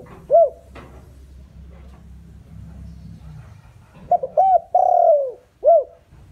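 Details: Decoy spotted dove used as a lure to draw wild doves. A lone soft coo opens, then after a quiet stretch comes a full phrase: two quick rising-falling notes, a long drawn-out sliding coo and a short closing note.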